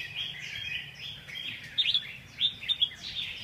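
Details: Red-whiskered bulbul song, soft and warbling at first, then several sharp, bright chirps stand out near the end, with low background noise throughout.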